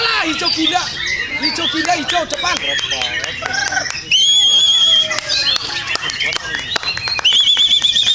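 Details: Song of a white-rumped shama, training material for singing contests: chattering low slurred notes and clicks give way to loud, steady wavering trills at about four and seven seconds, with scattered sharp ticks.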